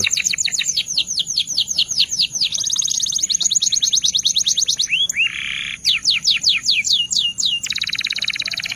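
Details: Canary in Belga salsa style delivering rapid repeated descending sweeps, then a sustained high rattling trill, a lower buzzy burst midway, more swept notes and a closing fast trill, loud and clear with little background.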